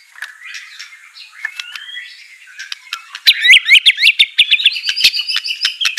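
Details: White-rumped shama song used to train a reluctant bird to sing: faint thin whistles at first, then loud rapid high chattering notes and sharp clicks in fast repeated phrases.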